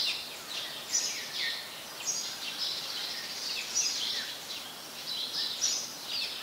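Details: House sparrow, Passer domesticus, Ubon Ratchathani, Thailand, January 2020: dense, busy chattering of high chirps running almost without a break, with slightly louder notes near the start and end.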